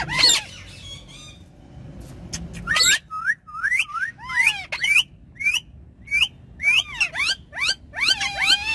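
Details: Pet ringneck parrots talking in a car: a harsh squawk opens, then a rapid series of short rising whistled notes and falling slurs, repeated many times with a brief gap between each.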